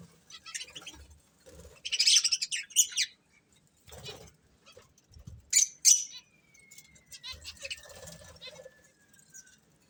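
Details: Breeding pair of budgerigars making short, scratchy chirps and a burst of warble, followed by a thin, slowly falling whistled tone and quieter chatter.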